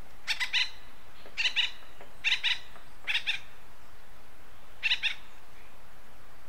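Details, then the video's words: Acorn woodpecker, western North America: rasping triple-note calls repeated about once a second, five bursts in all, the last after a short pause, with soft background hiss. "Acorn Woodpecker Call"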